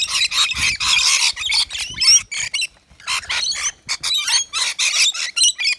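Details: Rainbow lorikeets at a balcony nectar feeder serving a wet lori mix; grating squawks and shrill chatter overlap in rapid bursts, with thin whistled notes slipping through and brief gaps between them.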